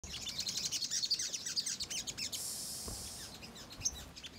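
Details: Ruby-cheeked sunbird in energetic chattering song used as a lure to provoke other birds into responding: rapid, very high thin chirps and trills, about two to three notes per second, with a brief hissing burst midway.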